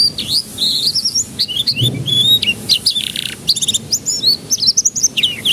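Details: Canary song for luring juvenile canaries into singing: dense, varied warbling with buzzy rolls, clipped chirps and short trills, delivered without pause.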